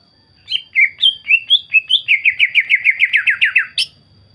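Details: Greater green leafbird song used as a lure to provoke other birds into singing: a few varied whistled notes, then a fast run of about a dozen bright, slurred, descending notes ending in a sharp high note.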